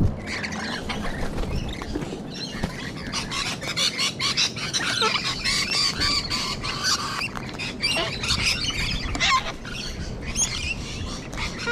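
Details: Wild sulphur-crested cockatoos and rainbow lorikeets in Sydney, Australia, give a steady chorus of rasping screeches and chatter, with low background rumble underneath.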